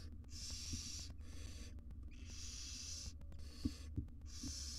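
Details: Barn owl mother preening small chicks in a wild nest box in Israel; three long, rasping hisses with short gaps between them, plus a few soft knocks and a low background hum.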